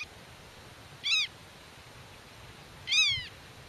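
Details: A black-tailed godwit defends its nest and speaks to chicks hidden in grass, driving off intruders: two loud, ringing, arched nasal cries about two seconds apart against a quiet backdrop.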